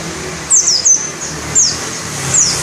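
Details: Pleci dakun ngalas white-eye at shrill volume: a handful of high, quick descending notes in pairs over a short span, set against steady background hiss.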